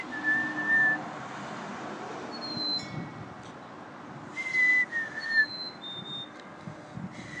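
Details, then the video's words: A wild Black-capped Chickadee copies a person's low, pure whistles with clear, high whistled notes, one pair stepping slightly down in pitch like its fee-bee song, over a faint background hum. ""FUNNY CHICKADEE" COPYCAT SINGING"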